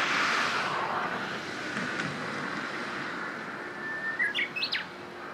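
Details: Japanese bush warbler singing, apparently recorded on 27 April 2017: a steady whistled note that breaks into a quick, rising, jumping flourish near the end. Low traffic rumble runs throughout.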